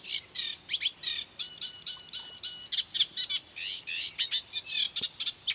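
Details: Eurasian reed warbler at the Doubrava river, Lišice, Svatý Mikuláš, 12 July 2015: jerky, scratchy chatter with a run of five level whistled notes in the middle, then more grating, churring phrases.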